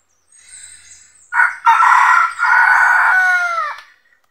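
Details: Red junglefowl rooster gives a full crow amid traditional decoy trapping of wild roosters coming to fight for territory; soft calls first, then a sharp loud onset, a stuttered middle and a long steady note ending abruptly.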